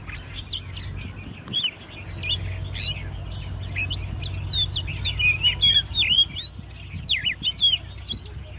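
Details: Ten-month-old hand-raised Oriental magpie-robin kept in a cage, singing competitively: scattered high whistles and quick chirps that build into dense, rapid phrases toward the end, over a low background hum.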